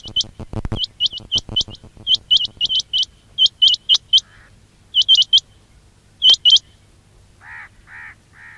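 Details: Quail call for luring: a low rattling burst at the start, then steady runs of high, upward-hooked chirps. Later come spaced double notes and three soft, lower, muffled calls near the end.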